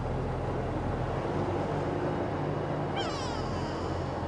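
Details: Go-away-birds alarm calling at sunset on a safari drive, possibly at the vehicle or at a nearby nyala, snake or mongoose: a single nasal, drawn-out call sliding downward near the end, over engine rumble.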